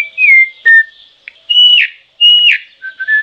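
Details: Troupial giving loud whistled notes: a falling slur, a short low note, then two longer rising whistles, ending in a few quick low notes.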